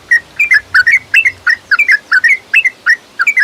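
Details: Yellow-vented bulbul lure recording played to make a caged bird sing, with rapid chattering bubbly whistled notes in quick doublets and triplets, delivered almost continuously.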